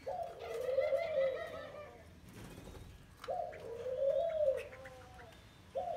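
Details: Wild-caught spotted dove held in a cage for 12 days, uttering three long, low coos with gaps of a couple of seconds. Soft rustling is heard between phrases.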